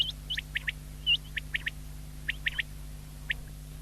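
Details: Common quail, called batair locally, recorded 19 February 2024, uttering quick high, slightly rising whistled pips singly and in pairs and triplets, with a faint steady hum beneath.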